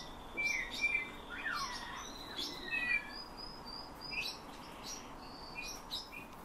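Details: Eurasian bullfinch trained by its owner to sing, imitating the owner's whistling and borrowing nightingale and thrush phrases; clear whistled notes near the start, a gliding descending whistle, then softer scattered chirps and faint high twitters.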